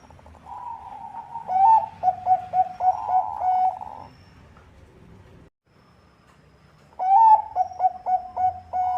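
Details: Bangkok-type zebra dove, song used as a lure, delivers two bouts of stuttering, bubbling coos with a drawn-out tone, separated by several seconds of quiet.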